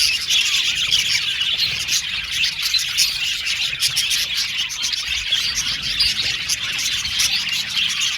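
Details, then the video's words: An aviary colony of male budgerigars, blue and violet, produces a constant thick chatter of high chirps, trills and warbled notes from numerous birds at once. "Beautiful budgies chirping sound"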